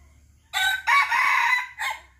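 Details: Serama rooster crowing boldly: a short opening syllable, then a long, loud, harsh drawn-out note and a clipped final syllable, all in under two seconds.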